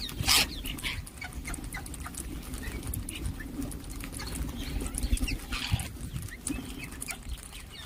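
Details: Ring-necked parakeets calling: one sharp, loud screech right at the start, then scattered soft chirps over a constant low rumble.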